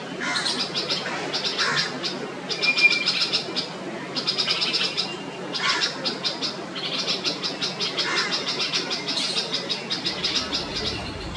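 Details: Female Red-vented Bulbul sounding an alarm to warn the neighbourhood that her chick, still flightless, is leaving the nest; repeated bursts of harsh, rattling high chatter with short gaps between series.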